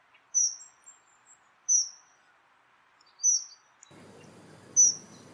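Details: Dunnock recorded in the wild giving thin, very high, short piping notes, four in all, spaced about every one and a half seconds, with a low steady rumble starting partway through.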